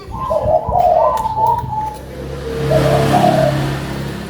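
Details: Local zebra dove with a big voice, singing actively: a rolling coo phrase opens, then a passing vehicle's rising engine roar partly covers a second, fainter cooing phrase.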